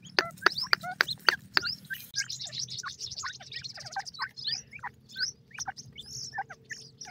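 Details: Grey francolin chicks, kept birds, calling while being fed: a burst of sharp loud clicks, then a dense stream of thin, high, varied chirps and short rising peeps, overlapping quickly, over a low steady hum.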